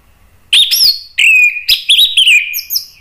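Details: Orange-headed thrush singing agitatedly to provoke other birds: loud, clear whistled phrases with slurred upward and downward inflections, closely strung and slightly echoing.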